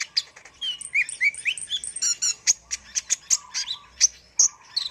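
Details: Lively song of a kolibri ninja sunbird used as tutor material: rising and falling sweet whistled notes at first, then regular sharp high ticks roughly once a second, on a quiet background.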